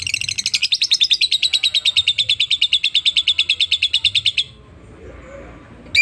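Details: Caged lovebird singing in full voice: a steady, rapid string of shrill chirped notes, roughly three per second, lasting over four seconds before falling silent, with a faint low hum underneath and a brief sound at the end.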